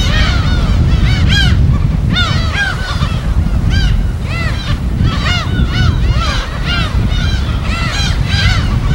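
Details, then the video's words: Wild gulls on an uninhabited West Sea island, recorded on site with waves: many overlapping yelping, down-curved cries in busy clusters above a constant low roar of surf. "파도소리와 갈매기소리"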